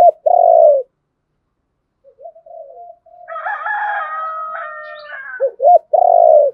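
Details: Spotted dove calls, of both a male and a female, used to provoke a wild rival into fighting: deep hollow coos at the start and end, with a tonal, wavering stretch between them.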